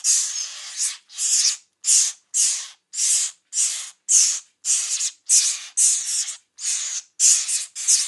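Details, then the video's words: Northern mockingbird chicks calling: harsh, hissing rasps, one about every half second in a steady run, with no other sounds. "Mockingbird Chicks Calling Sound"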